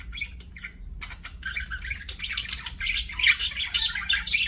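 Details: Pet budgerigar giving a few soft chirps, then breaking into busy, rising scratchy chatter that grows louder toward the end, with a low steady hum beneath.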